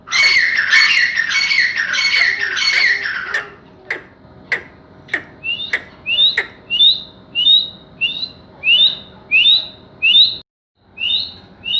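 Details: Grey francolin (teetar) opens with a rapid run of rasping screechy notes, then sharp dry clicks, then a steady series of paired high whistled notes, each pair a rising chirp, repeated about every half second.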